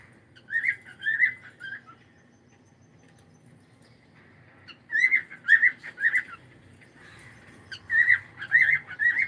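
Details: Pet cockatiel uttering clusters of three to four rapid, slurred whistled chirps, separated by a few seconds of near silence indoors.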